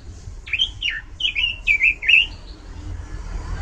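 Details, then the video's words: Oriental magpie-robin, a loud and varied singer, delivering a short burst of swooping whistled notes, steep drops and wavering upslurs, followed by quiet background rumble and faint distant noise. "ROBIN GACOR SUARA LANTANG DAN VARIASI"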